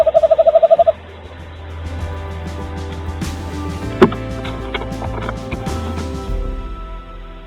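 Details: Tawny owl (Strix aluco), a nesting female in 2023 returning to the nest after the owlets fledged, calls to check no one is home: a quick run of about nine soft, rapid, mid-pitched pulses over a second; gentle music follows.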